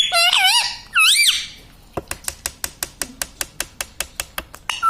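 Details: Talking pet parrot, said to say "mummy", gives two loud, arched, wavering syllables at the start, followed by a steady series of sharp taps roughly every quarter second in a small room.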